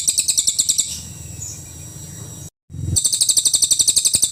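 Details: Cililin song in the full nembak style, used as a vocal tutor for songbirds: rapid, sharp, high chirps at about four per second, then a lull with low background hum, a brief silent cut, and the chirping resumes.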